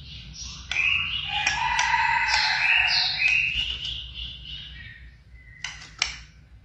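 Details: Caged blorok white-rumped shama in full active song: a rich rush of whistled and warbled notes over about four seconds, then sharp clicks and a brief pure tone.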